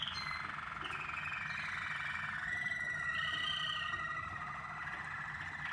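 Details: Mixed Waterslager canaries sing during song training with layered long whistles that waver and slide slowly up and down, producing a continuous, dense tonal chorus.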